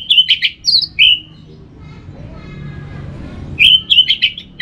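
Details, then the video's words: Orange-headed thrush from northern Bali, song meant to stimulate other birds to sing in the morning: clusters of loud high whistled and twittering notes, a long falling whistle, a pause of faint murmur, then another rapid burst. "Untuk Merangsang ANIS MERAH Berani Bunyi Dalam Krodong Ataupun Pada Pagi hari"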